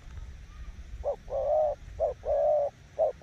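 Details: Decoy spotted dove giving its coo, a short note, a long level coo, then another short and long pair, against faint low background noise.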